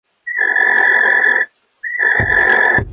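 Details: Barn owls mating; two long rasping calls, each about a second and a quarter, with a steady whistled tone running over a broad harsh band, separated by a short silence.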